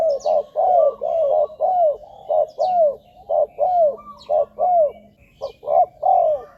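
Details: Spotted dove calls for luring wild doves to ground, branch or trap-cage decoys: a steady chain of low rounded coos, about one per second, alternating short and longer falling notes, with faint hum and occasional high chirps.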